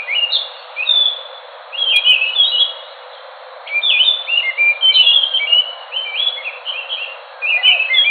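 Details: Enggano thrush, a songbird found on Enggano island off Sumatra, singing bursts of rich whistled phrases, each a cluster of quick rising and falling notes, with pauses between bursts.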